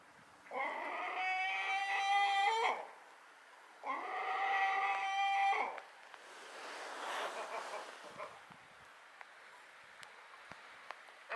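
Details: Gull, apparently at a harbour on Rügen, gives two loud, drawn-out, nearly level nasal screams about two seconds each, with a short pause between, while a second bird follows it closely; the sexes are uncertain. Softer rustling and background noise follow.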